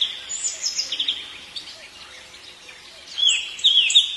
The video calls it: The nightingale's call in the evening is so beautiful